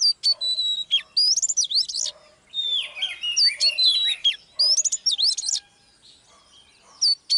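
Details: Female Oriental magpie-robin heard during live training meant to excite a male to sing: clear sustained whistles, then quick trilled and swooping phrases in clusters, with short pauses between bursts.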